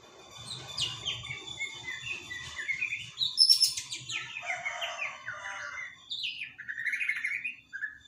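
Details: Three-month-old juvenile white-rumped shama practising its subsong (dokor): a rambling run of varied whistles, short slurred notes and rattly bursts, mostly high, with a low murmur beneath.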